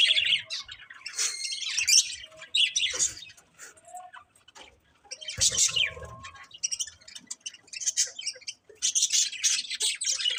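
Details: Colourful budgerigars giving bursts of scratchy, buzzy high chirps separated by short quiet gaps, with a thump in the middle and faint background hum.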